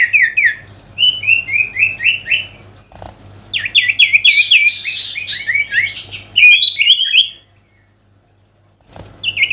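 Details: Sooty-headed bulbul singing vigorously to call a rival: long runs of rapid, repeated slurred whistles, about four notes each second, broken by short clicks and a silent gap near the end, above a faint hum.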